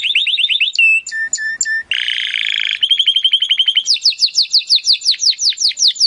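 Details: Singing Timbrado canary, recorded as training material to improve other canaries' song: a fast trill, three spaced metallic bell-like notes, a harsh buzzy rattle, then steadily repeated descending whistled notes.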